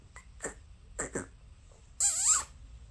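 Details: Household conures, a pair of pet birds: a few soft clicks, then a loud, wavering, harsh chirp with bending tones lasting half a second.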